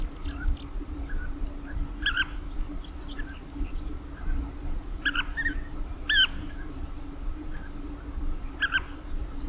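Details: European bee-eater giving short rolling, burry calls in bursts spaced about one to two seconds apart, some doubled, over a steady low hum and faint background chatter.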